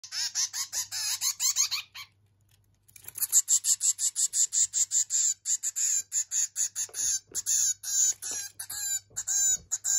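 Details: One-month-old zebra finch chick begging while being hand-fed, recorded 13 May 2023: rapid, harsh, high chirps repeated in dense bursts, a brief pause near two seconds, then an even faster run of insistent calls.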